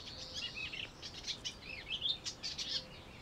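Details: An Eastern olivaceous warbler in northern Greece in spring 2016 sings a fast, scratchy babble of short, high chattering notes in an unbroken, rambling stream over faint background hiss.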